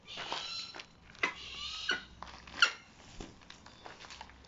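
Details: Three captive striated caracaras at play with enrichment items: short, raspy squawks and hoarse cries in quick succession, mixed with sharp taps, scrapes and clatter from objects.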